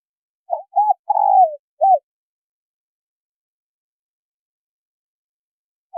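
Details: Female spotted dove giving a call meant to stimulate a male. One phrase: a pair of short coos, a long trembling coo dropping in pitch, then a single short coo. Silence follows until a faint new coo starts at the end.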